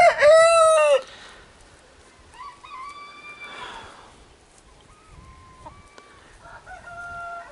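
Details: Domestic rooster crows loudly and brassily, ending abruptly, with faint distant calls after; the crow marks his territory boundaries to a rival neighbouring rooster, who, tired from a recent fight, backs away rather than answer.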